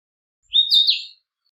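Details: A Narcissus flycatcher delivers a single rich whistled phrase, rising then wavering and falling, clean and isolated.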